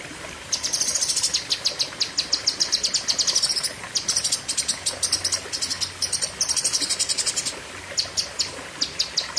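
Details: Cucak kinoi song in the long, fiery 'pedes panjang' style. Dense machine-gun runs of very high, sharp notes, separated by brief breaks, with quieter spaced chips near the end.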